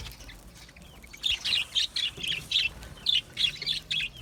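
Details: Chirping from budgerigars, small Australian parrots: after a quiet start, a quick run of about a dozen bright, buzzy chirps, closely spaced and fairly even, over faint low hum.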